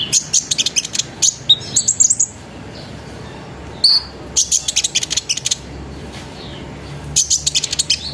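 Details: Lure song of an olive-backed sunbird (konin), twittering and rolling to draw other sunbirds into singing; dense bursts of very high, sharp chips alternate with brief pauses, plus one short whistled note midway.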